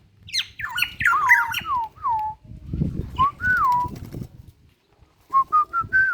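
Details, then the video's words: Morning song of a local black-naped oriole (Kepodang) from Ijen, Bondowoso: rich fluty whistles that slide and loop, a tumbling opening series, a drawn-out liquid phrase mid-way, then four short clipped whistles, with low rumbling background noise. "Burung Kepodang lokal ijen Bondowoso"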